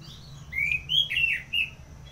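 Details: Soft warbled phrase from an orange-headed thrush singing in ngeplong style, Singaraja, North Bali: several short whistled slurs that rise, then flatten, over a low humming background.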